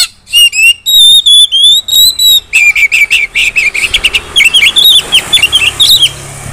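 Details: Female Oriental magpie-robin calling to draw other magpie-robins into loud singing: a run of sharp, clear whistled notes held level, then rapid harsh chattering bursts and scratchy rising-falling phrases repeated in quick succession.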